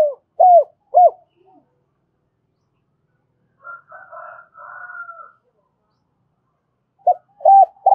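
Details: Decoy spotted dove giving 'gáy gọi hai hậu' calls for luring birds to lime sticks; hooked coos open and close the passage, with a rough, broad, higher sound in between.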